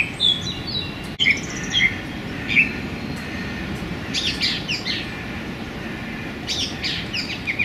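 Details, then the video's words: A male Song thrush (Turdus philomelos) sings vigorously among branches in a small London park on a sunny January day: short, clear, high whistled phrases with brief pauses, over a steady low rumble of distant traffic. "Song Thrush Turdus philomelos singing"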